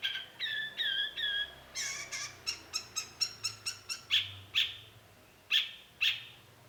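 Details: Cendet (long-tailed shrike) lure song for provoking a reply: a few whistled notes with a wavering tone, then a rapid stuttering series of clicks and chips, ending with spaced sharp high calls.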